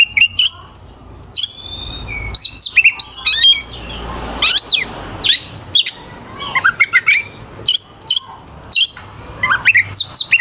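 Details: Long, sustained song from an oriental magpie-robin, used to provoke rival magpie-robins. Sharp, high whistled bursts repeat every second or so, with a brief noisy warbled stretch near the middle.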